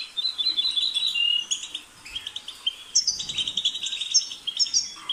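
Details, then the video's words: European goldfinch pouring out a rapid, jingling song of chirps and buzzy trills, a brief lull near the middle before the twittering resumes strongly. "The sound of the goldfinch's chirping drives the goldfinch crazy"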